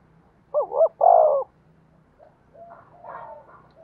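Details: Spotted dove used as a decoy to provoke other doves into cooing: one low phrase of two short wavering coos and a longer, louder drawn-out coo, then faint softer calls.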